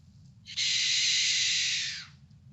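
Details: Barn owl screech, played back for comparison with the great horned owl's hoot: a single harsh, hissing, breathy shriek lasting about a second and a half and fading slightly at the end, over a low hum.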